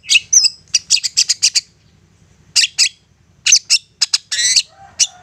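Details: Long-tailed shrike's insistent provoking song: quick bursts of high scratchy notes in clusters, a pause, then more clipped harsh notes and a short buzzy rattle, over faint low background hum.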